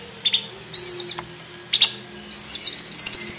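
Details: Black-breasted oriental magpie-robin in full varied song, offered as tutor material for other magpie-robins: high, bright chirps and scratchy whistled bursts, short trills, and a closing run of quick repeated notes, over a faint low hum.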